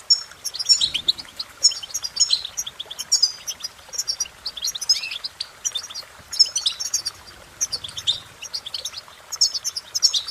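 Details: Repeated European goldfinch phrases, fast twittering bursts of high liquid notes returning roughly every second or so, with faint low rumbles in the background.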